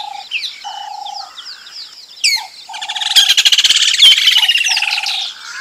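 White-fronted Bee-eater giving squeaky, nasal chirps that swell into a rapid, rattling trilled burst, over a repeated low, even whistle and other birds.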